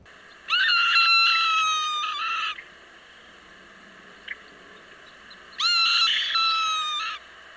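Swainson's Hawk giving two long, gull-like keer calls, each about two seconds and sagging slightly in pitch, separated by a pause with faint background hiss.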